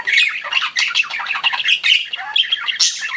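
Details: Budgerigars kept as pets keep up a harsh, chattering warble of fast repeated chirps and scratchy squawks, ending with a bright high burst.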